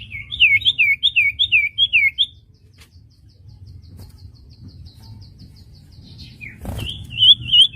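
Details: Common iora song for teaching wild-caught birds to sing: about seven looping whistled notes in quick succession, a faint thin series of notes, a click, then another looping whistle.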